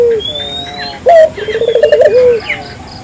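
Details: One phrase of lively Barbary dove song used to stimulate local doves: a falling tail note, faint twittering, then a sharp clipped note leading into a rapid bubbling coo that ends in a drooping tone. A steady high whine continues throughout.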